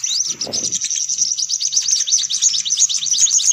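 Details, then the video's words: High sunbird chatter meant to lure sunbirds: a fast, steady run of thin, tinny chirps repeated several times a second, with a brief low rustle near the start. "Suara Pikat Burung Kolibri Paling Manjur"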